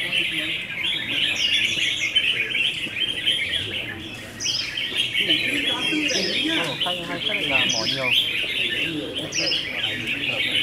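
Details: Red-whiskered bulbuls singing in a contest: a dense, overlapping chorus of bright chirpy whistled phrases with quick up-and-down notes, several birds at once, with people talking underneath throughout.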